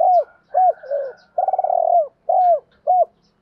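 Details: Lure cooing of a spotted dove aimed at wild doves: arched mellow coos, a long rolling pulsed coo in the middle, then two more short arched coos.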